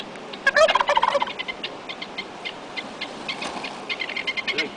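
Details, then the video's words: Fluffy white turkey, male, strutting around and seeming angry and pompous, Gilpin County, Colorado, May 2007: a loud, rapid rattling gobble burst near the start, followed by softer scattered clicky pulses and a second quieter rattling run. "Fluffy Gobbling Angry Pompus White Turkey"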